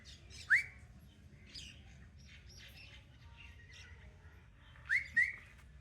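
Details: Caged pet parrot in playful mood gives short sharp rising whistled notes, one early and a paired burst near the end, with soft scratchy chatter between over faint background hum.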